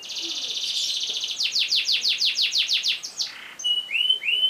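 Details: Canary with a long roll, played for other birds to learn: a buzzy sustained trill, then about ten evenly repeated downward-sweeping notes, and a pair of clear rising-falling whistles.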